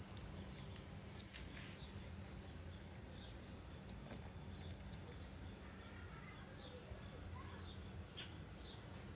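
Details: A female California towhee chirps worriedly near her nest as her two eggs hatch in California on 14 June 2025, giving sharp, high, downslurred chips, eight in nine seconds, over a faint low hum; bird.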